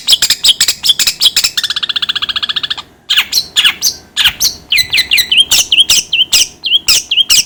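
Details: Long-tailed shrike calling, its sound used to get other shrikes fired up: rapid harsh, scratchy chattering notes, a steady buzzy rattling passage near two seconds, then sharp rasping notes repeated more than twice a second.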